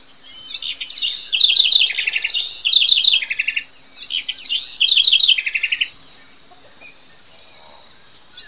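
A house wren sings two quick, bubbling phrases of high chattering notes and trills, each about two seconds long and separated by a short pause, over a faint steady insect hum.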